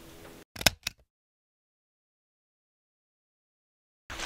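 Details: A few sharp clicks and a brief burst of noise give way to several seconds of silence, then noise returns at the end, with no animal voice.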